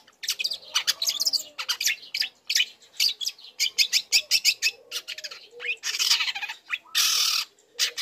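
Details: Long-tailed shrike youngster singing a fast, dense stream of high, sharp chirps and mimicked notes, ending in two harsh rasping bursts; kept as a lure to make other shrikes answer.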